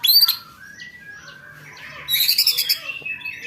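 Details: White-rumped shama training song for contest birds, with a loud trilled rattle ('roll tembakan') meant to provoke: a sharp high burst, then scattered clear whistles, then a dense buzzy rattling volley, then more whistled notes.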